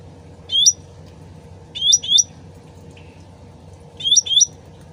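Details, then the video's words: Sooty-headed bulbul lure recording: bright rising whistled chirps, single then doubled, three bursts over five seconds, backed by gently trickling water. "PANCINGAN CUCAK RANTING SUARA ASLI DAN GEMERCIK AIR CEPAT NYAUT"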